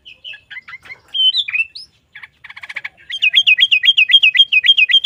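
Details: Sooty-headed bulbul 'gacor garuda isian' song used as a tutor recording for caged bulbuls: scattered chirps and a whistled flourish, a dry rattle, then a steady fast run of repeated looping whistled notes.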